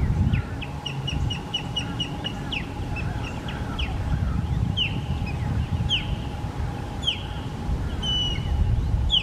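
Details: Wild osprey in Florida giving its signature calls, recorded on a compact camera: a run of short, sharp, rising whistled chirps in quick succession, slowing into spaced, louder upslurred yelps, over low rumbling background noise and a steady hum.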